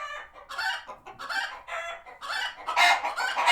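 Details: Flock of chickens at a farm sanctuary, alert after a hawk was spotted nearby and retreating to their coops: loud, harsh, squawky clucks in rapid overlapping bursts, growing more intense toward the end.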